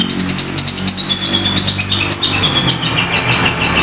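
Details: High, scratchy ngetik ngekek chatter of a fighter lovebird in a lure recording, quick squeaks and short trills pulsing steadily, with a soft low hum behind.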